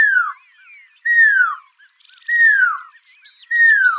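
Pearl-spotted owlet giving loud, slurred whistles that fall in pitch, repeated about every second, with faint higher chirps from other birds behind.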